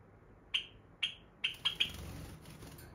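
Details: Female pet Java sparrow (Padda oryzivora), restless and energetic indoors when her owner wants to sleep, gives five sharp, high chip notes about half a second apart, then quickening, over a soft rustling hiss.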